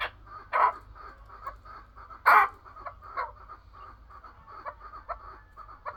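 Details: Chukar partridge making soft, rapid chattering clucks punctuated by two loud harsh bursts, one early and one near the middle.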